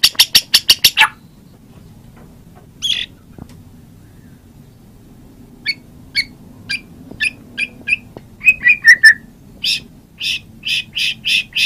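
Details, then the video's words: White-rumped shama singing: an opening rapid run of sharp high notes, scattered clipped whistles, a short descending slurred phrase, then a closing string of evenly spaced bright notes, over a steady low hum. "Kompilasi suara MURAI BATU"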